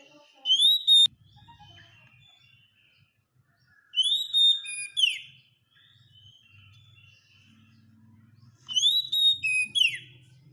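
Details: Oriental magpie-robin masteran song, used to train caged birds to sing eagerly: three bursts of loud, clear whistled notes with rising slurs and sharp downward sweeps, separated by pauses holding faint, softer warbling.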